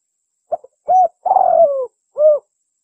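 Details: Spotted dove lure call, used to attract other birds; a short stuttered note, a mellow coo, a longer trembling coo gliding downward, then a final rounded coo, all low and soft against silence.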